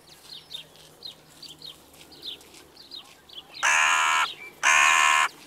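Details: Crow in the evening giving two raspy, strong caws near the end, after a stretch of repeated short high chirps from smaller birds in the background.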